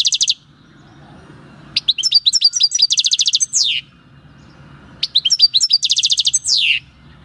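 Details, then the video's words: European goldfinch caught at El Paso in 2018 delivers its own wild song on 22 March 2020: twittering notes run into a rapid bright trill ending in a downward-sliding buzzy note, phrase repeated twice. "JILGUERO CAMPERO CANTANDO/Chant du chardonneret/Golfinch singing"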